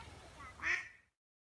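A duck gives a single harsh, nasal quack near the end of a short burst, over faint low background rumble.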